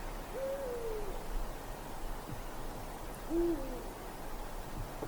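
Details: Eurasian eagle-owl at night in a winter forest: a higher hoot that slides downward, followed some three seconds later by a brief, low, level hoot, over faint low background noise.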